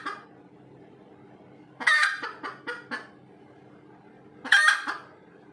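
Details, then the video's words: Red junglefowl after laying an egg: a loud raspy squawk followed by three or four quick clucks, then quiet, then another loud squawk with trailing clucks. "AYAM HUTAN SELEPAS BERTELUR"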